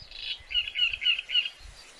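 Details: Great reed warbler giving a series of harsh, croaking repeated notes in quick chattering bursts, four or five units in a row, over faint low rumble and background hiss.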